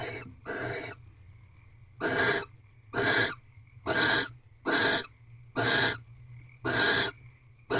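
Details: Pair of barn owls mating at night in an owl box, 8 March 2023 at 5:23 am: a string of eight short, harsh rasping screeches, the later ones evenly repeated about every 0.9 seconds over a faint hum.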